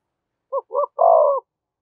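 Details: Single clean phrase from a spotted dove calling to provoke other doves: two short low coos followed by one longer steady coo, then silence.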